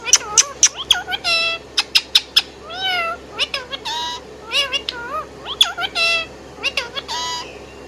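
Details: Indian ringneck parrot kept as a pet, singing a busy run of sharp high chirps, bent whistles and buzzy notes, closely spaced and repeated.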